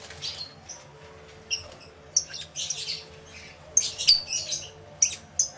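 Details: Many lovebirds in an aviary, captured with two external microphones on a camera: sparse, sharp high-pitched chirps and short squeaky bursts come at irregular intervals, with a low background hum.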